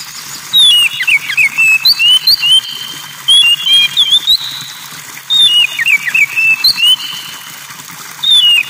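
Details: Kacer, or Oriental magpie-robin, with the sound of trickling water. Repeated bouts of bright whistled and warbled phrases, some sliding up and down, rise over a constant watery hiss throughout.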